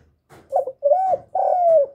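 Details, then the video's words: Spotted dove cooing, a recording used to stimulate newly kept birds: three mellow, low coos in under two seconds, the last longer and sliding gently downward, with soft rumbling notes between them. "Tiếng cu Gáy Kích chim mới nuôi hiệu quả, cu gáy gù cực chất, cu đất gáy, cu gù"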